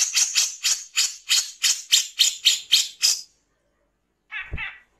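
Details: Grey-cheeked bulbul in a master/lure recording of its harsh "shooting" song: a fast run of about ten harsh, rasping bursts, roughly four per second, then after a short pause one lower, thumping sound.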